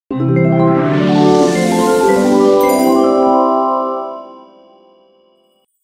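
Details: Bright marimba and glockenspiel notes tumble in a quick melody, then ring out and fade, with no animal voice.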